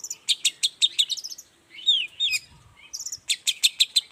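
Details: Vigorous morning song of a long-tailed shrike, meant to draw other shrikes into answering: fast rapid-fire chips, a few slurred downward whistles in the middle, then another quick run of sharp chirps.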